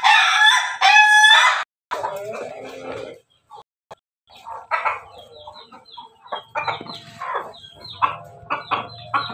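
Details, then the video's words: Ayam ketawa, pelung and bangkok crossbred cockerel, Yogyakarta, Indonesia, opening with a loud harmonic crow broken into two stuttering bursts, followed by softer clucking and chirping from other chickens. "persilangan ayam ketawa pelung bangkok jogja"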